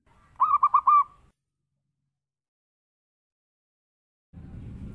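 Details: Local zebra dove in berayun style, a lure song for attracting doves: one brief burst of four rapid, rolling coo notes, then silence and a low rumbling noise.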